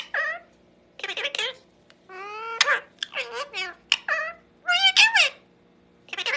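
A parrot talks in short bursts of harmonic, speech-like syllables, some rising and falling in pitch, with brief pauses between phrases in a quiet room.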